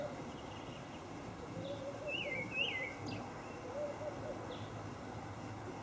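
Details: Olive thrush with a brief wavering whistled phrase near the middle, rising and falling twice, and fainter notes before and after against a soft rural background.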